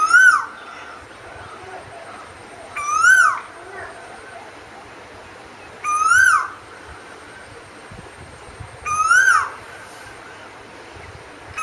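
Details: Asian koel singing: four loud, rising, two-part whistled notes with bright harmonics, spaced about three seconds apart, over a soft steady background hiss.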